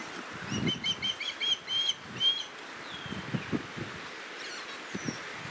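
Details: Young Osprey, just fledged, pleading with its father to share a caught fish as the mother and sibling circle; bursts of quick whistled chirps repeated in groups, later thin rising whistles, over low flapping and rustling noise.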